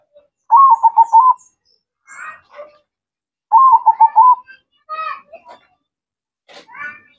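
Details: Perkutut, or zebra dove, in full song: two low cooing phrases about three seconds apart. Each has quick stuttered notes closing on drawn-out coos, with brief human speech and small clicks between them.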